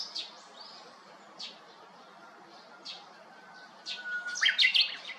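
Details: Japanese bush warbler perched atop a cypress next to an empty house, 7 May 2021, gives a soft held whistle, then a loud, quickly warbled flourish. Scattered sharp high chirps of other birds come before it.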